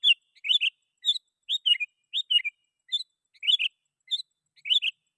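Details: Sooty-headed bulbul calling rivals, used as a lure for wild bulbuls: bright whistled phrases, some single notes and some bubbling doublets, repeated steadily about every half second.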